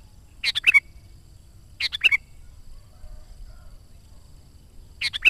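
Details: Sooty-headed bulbul in full song, meant to lure wild bulbuls and stimulate caged ones: short bubbly gurgled phrases of three or four notes, repeated about every one and a half seconds, quiet background.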